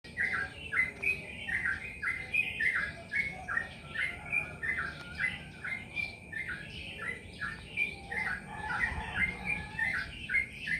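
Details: Yellow-vented bulbul singing a steady run of short bubbly chirped notes, repeated several times a second over ten seconds, with a constant high electronic tone and low background rumble.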